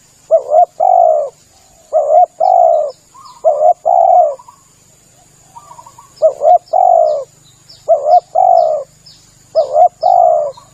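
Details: Spotted dove cooing played as a lure, repeated phrases of a doubled short note and a long low coo roughly every two seconds, with faint high chirping of small birds and steady hiss.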